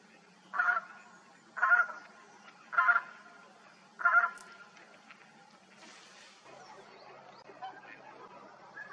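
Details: A tundra bean goose in the Hannover region, recorded 2021–2023, gives four loud, nasal honks about one second apart, then quieter background rustling and faint distant sounds.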